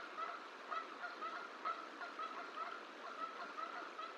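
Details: Bald eagle pair at the Decorah Hatchery nest during incubation, 1 March 2023, with the female calling for a break and the male answering. Short upslurred notes repeat about twice a second, faint over steady broadband background noise.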